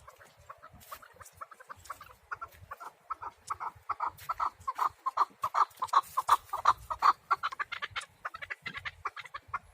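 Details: Chukar partridge in a yard giving a long rhythmic series of loud clucking notes, about three per second, strengthening toward the middle and then trailing off, in a quiet setting.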